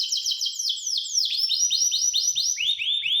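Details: A Gloster canary delivers a chain of downward-curving whistled notes, first closely packed, then spaced about four per second, each ending in a soft lower slur.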